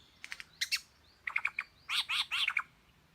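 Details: Songbird copying the voices of other birds: a few rapid thin chirps, then a fast cluster of bright notes, ending in three loud, rich, slurred buzzy calls close together.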